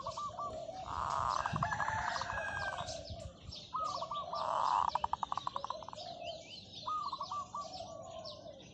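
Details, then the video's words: Zebra dove kept as a decoy bird, giving long drawn-out calls: warbling coos that build into a loud burst with a stuttering run of rapid pulsed notes, repeated twice, with high chirps of small birds and background clutter. "เสียงนกเขาชวาต่อ ออดยาวๆ"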